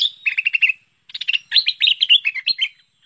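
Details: Bulbul known locally as merbah lekir, played to attract birds; a short row of even clipped notes, then a louder run of bubbly, slurred chattering notes.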